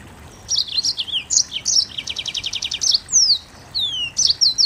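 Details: Rapid song of a Mozambique canary: clustered sweet chirps, a fast even trill of repeated notes, then long descending whistled slurs and more quick chirps at the end.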